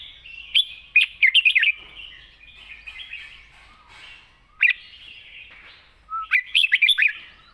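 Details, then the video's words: Wild-style, long-phrased song of a red-whiskered bulbul: a fast bubbling series of five or six warbled notes, a soft murmuring stretch, one loud clear note, then another quick cluster of bright, jumpy whistles. "เพลงป่าๆ สำนวนยาวปากเบา ฟังเพลิน#นกกรงหัวจุก"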